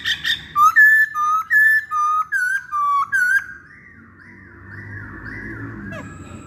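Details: Series of about eight short, evenly spaced whistled notes, each slightly rising, from a masked laughingthrush used as a lure, then softer, fainter whistles fading into low background hum.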